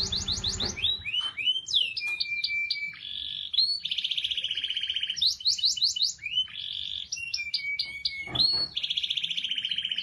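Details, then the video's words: Canary described as a vigorous singer, used to prompt silent canaries to sing: varied song mixing rapid high trills, sliding whistled notes and long steady buzzy tones, phrases changing every second or two. "KENARI GACOR PANCINGAN KENARI MACET BUNYI"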